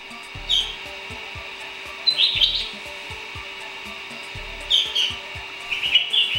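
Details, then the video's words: Little bulbuls visiting as guests: bright chirping bursts in clusters a couple of seconds apart, some notes sliding and fluttering, with low thumps and a steady hum behind. "Our guests, the little bulbuls"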